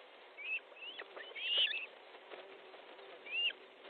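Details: Osprey at its nest in Estonia, evening of 13 July 2014 at 19:30, during a fish delivery; a few short, high whistled upslurred notes spaced irregularly, one louder mid-clip, over a steady background hiss.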